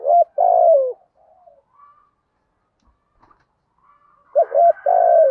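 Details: Cooing spotted dove in the 'thúc gù' style with 'giọng thổ' voice: loud clipped double notes running into a sustained, slightly falling coo, a quiet gap with faint soft sounds, then the phrase starting again.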